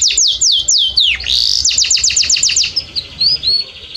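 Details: Belgian canary tutor song: quick run of falling high whistles, a downward slur, then another rapid falling series, ending in soft rising whistled notes.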